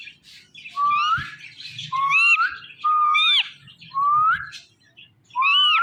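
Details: Indian ringneck parakeet repeating a whistled call that swings upward, roughly once a second, each with a bright overtone sweep above it, against a faint low hum.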